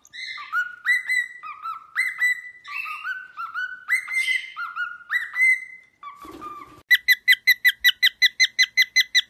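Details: A pet male cockatiel playing on a toy swing whistles a run of clear, stepped notes that rise and fall. Then comes a brief harsher sound and a quick, even string of a dozen sharp chirps.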